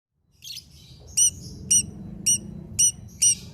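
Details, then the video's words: Lovebird in daily care, singing in the 'konslet' style: sharp, very high chirps with a metallic ring, repeated about every half second after a softer fluttery opening, over a low background rumble. "lovebird konslet"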